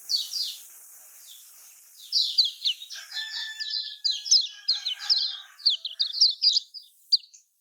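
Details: Lemon-bellied white-eye song, Lombok style, used to draw out singing from reluctant caged birds. A faint start, then a busy rush of bright, high chirps over a soft, lower drawn-out whistle.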